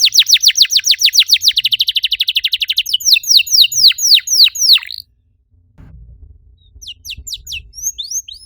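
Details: Canary song used to stir other canaries into song: a very rapid buzzy trill, then slower swooping notes, a short pause, and scattered high chirps at the end.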